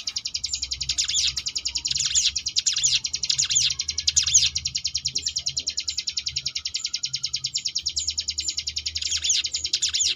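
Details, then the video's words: Rapid ngebrem trill of a Sunda bush warbler, meant as a tutor song for competition birds: continuous high pulsed buzzing for ten seconds with short bright sweeping flourishes every second or so, low background hum throughout. "cigun ngebrem variasi"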